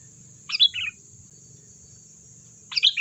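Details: Sooty-headed bulbul song meant to prompt replies from other birds: two brief warbled chirp bursts about two seconds apart, with a low rumbling background and a steady high-pitched whine.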